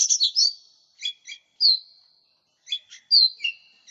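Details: Lesser green leafbird, known locally as cucak ijo mini, singing a lure song used for training other birds: clear high whistled notes mixed with quick chirps and short trills in bursts, separated by brief silences.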